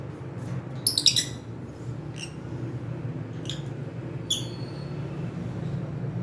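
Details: Pet cockatiel calls: a quick cluster of shrill chirps, then three single clipped chirps spaced about a second apart, all over a constant low background hum.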